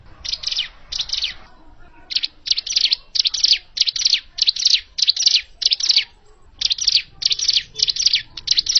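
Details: Original hill prinia call meant for trapping: an almost unbroken string of scratchy, buzzy high notes, about a hundred-odd a minute, with short gaps.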